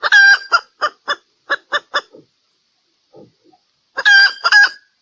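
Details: Lure call of a female red junglefowl from Sumatra: a loud harmonic note, then a steady series of about seven soft clucks. Faint low sounds follow before a final loud, ringing double call.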